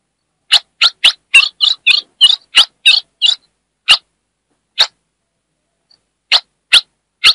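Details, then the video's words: Northeast Brazil female ultramarine grosbeak chattering to rouse the male: a fast run of about a dozen chips and buzzy notes, then single sharp chips spaced roughly a second apart. "Essa FÊMEA vai deixar seu AZULÃO LOUCO│ESQUENTE SEU AZULÃO! MELHOR CHIADO DE FÊMEA DO NORDESTE"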